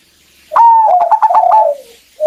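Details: Single phrase from a female zebra dove calling the male to prompt his song: a sustained whistled note broken by quick rhythmic pulses, sliding into a falling coo.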